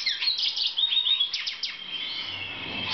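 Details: Black siskin song from a 2014 breeding setting: high, scratchy twitters and quick down-slurred notes, then a thinner sustained wheezy tone, with a faint low hum in the background toward the end.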